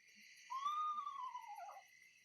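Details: A played recording of an Eastern Screech-Owl, the owl most likely found in Portage County, Ohio, gives a single soft, whistled whinny that rises briefly then slides downward over about a second, over steady hiss.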